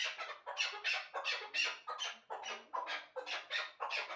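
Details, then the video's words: Chukar partridge hybrid calling in a loud, rhythmic series of harsh, broadband clucking notes, about two to three per second, with no other sounds. "Кабки гибрид"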